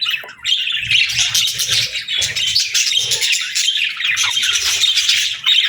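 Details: Budgerigars chirping together in a lively flock: dense, continuous warbling chatter of rapid scratchy chirps and short squawks, overlapping without pause, with faint low thumps beneath.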